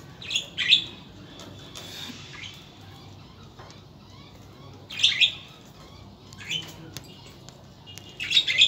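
Budgerigars give short bursts of high, scratchy chirps and warbles, about four clusters with quiet gaps of one to three seconds between them.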